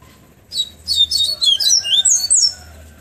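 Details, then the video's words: Afternoon flautado tonzé song of a Bahia seedeater, Pero Vaz, Salvador: after half a second of quiet, about two seconds of rapid, high twittering notes with rising and falling whistled slurs, then quiet again. "papa capim bahiano flautado tonzé de tarde"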